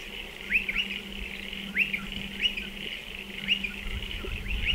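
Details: A striated pardalote near its burrow nest in a dry stone wall gives spaced, bright, upslurred two-part chirps, about one every second, against a faint hum and soft low rumble at the end.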